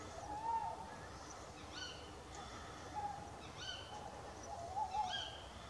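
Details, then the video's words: Tawny owls calling to each other at night near a wild camp, one having just flown off; faint wavering hoots alternate with short, sharp, harmonic-rich calls repeated every one to two seconds over quiet background hiss. "I don't know if you can hear the owls, but they're going. They're actually chatting away, so have a listen."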